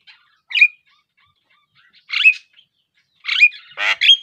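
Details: Javan myna, the black, yellow-billed insect and fruit eater, uttering three separate scratchy chirps ending in short falling whistles, spaced over four seconds of quiet; the last burst is longer and more rasping.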